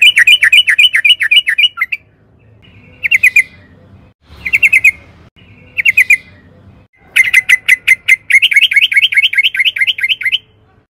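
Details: Yellow-vented bulbul singing actively, with rapid bursts of bright, bubbly notes, about four a second, separated by short pauses, over a faint low hum.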